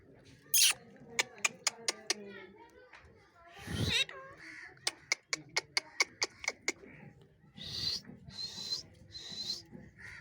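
A parrot gives a run of sharp, clicking, harsh notes, a dozen quick pops and some gruff bursts, with talk-like squawks and a little background noise.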